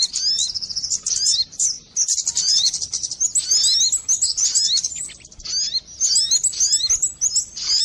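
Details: High-pitched twittering of many sogon birds used as a catching lure, bursts of squeaky upward slurs and chips with a clear dip near two seconds and a lull around five seconds.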